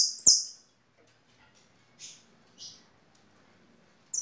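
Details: A singing European goldfinch gives a few high, thin, tinkling notes in short bursts, spaced about every half second to two seconds, with a sharp click near the start.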